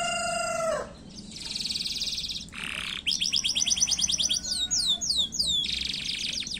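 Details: Canary in full, fast song, used as a lure to get other canaries singing: a long low whistled note, then buzzy high trills and rapid series of downslurred chirps, switching between phrases every second or so.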